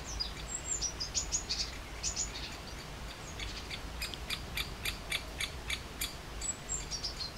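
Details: Great spotted woodpecker giving a run of sharp, clipped notes, about four per second for two seconds. Thin high whistled notes come before and after, over faint low rumbling noise.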